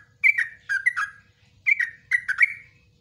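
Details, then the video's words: Yellow-vented bulbul, long ropelan song of the nguklik ngecruk style used for tutoring caged birds: two quick bursts of gurgling, slurred notes, each lasting about half a second. "TRUCUKAN ROPELAN NGUKLIK NGECRUK"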